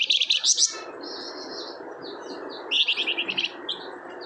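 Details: Energetic flamboyan song intended to make a reluctant bird answer: quick high chirping bursts, thin drawn notes, then another fast run of sharp notes, against a steady low rushing noise.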